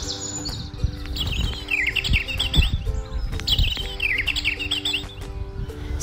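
European Robin singing two phrases of thin, warbling, wavering notes, high and fast, with a steady low hum and faint background noise beneath.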